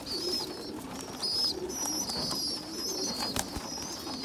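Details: Small young pigeon feeding bigger youngsters; high thin squeaks in short wavering phrases, a sharper squeal near the middle, over low steady murmuring coos.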